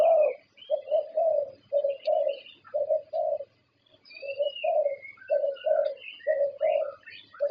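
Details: Zebra dove, a Thai contest champion, delivers a run of low, soft coos in twos and threes with a short pause midway, while other small birds chirp and whistle higher in the background.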